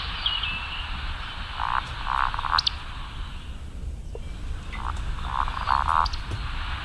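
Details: Eurasian woodcock breeding-season call from a played recording, Basque Country; soft throaty croaks grouped in pairs and threes with occasional thin high squeaks, amid steady background hiss.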